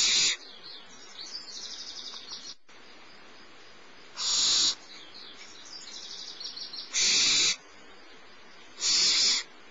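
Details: Barn owl nestling, littlest of the brood, being fed by the female at Starr Ranch on a March 2011 morning; three loud harsh hissing screeches about two to three seconds apart, with soft high twittering chatter between them.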